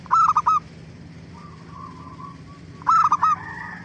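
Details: Zebra dove song played to make other doves respond: two rapid phrases of four staccato cooing notes, with faint answering coos in between and a low steady hum behind.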